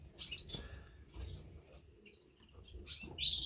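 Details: Three newly hatched canary chicks in a nest, first of the season, give thin, high-pitched chirps in short, scattered bursts, with a louder squeak midway and a cluster of cheeps at the end.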